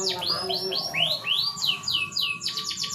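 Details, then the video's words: Canary song for stimulating a canary that will not mate: clear, repeated falling whistles, each about a third of a second apart, ending in a short quick trill, with a faint steady tone underneath. "Pancingan kenari susah birahi"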